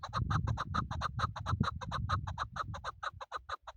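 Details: Chukar partridge kept for hunting, calling a steady, fast run of harsh chuck notes, about two per second and slowing slightly at the end, with low rumbling noise beneath throughout.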